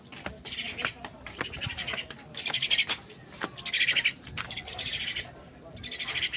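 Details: Pet myna calling while being fed, giving raspy, buzzy bursts in uneven series roughly once a second, with sharp clicks and faint rustling between calls.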